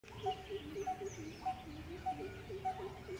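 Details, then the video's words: Coppersmith barbet giving its continuous metronomic tuk tuk tuk call: short hollow low notes in a steady series, with a second, slightly higher run of brief tonal notes alongside and faint thin chirps from other birds. "Metronomic call of Coppersmith Barbet"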